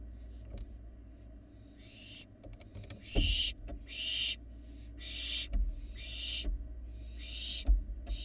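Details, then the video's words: Barn owl fledglings moving about outside the nest box in Florida, a series of about seven harsh, noisy screeching hisses, each under half a second, separated by pauses, with thumps and scratching between them. "Barn owl fledglings are very active outside the box"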